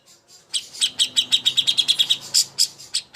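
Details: Greater green leafbird contest master song: soft start, then a quick train of bright, high chipping notes about three per second, ending in sharper higher accented notes.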